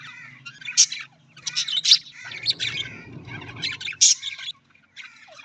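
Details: Budgerigars chattering in bursts of shrill chirps and buzzy warbles, with a rumbling low background noise in the middle.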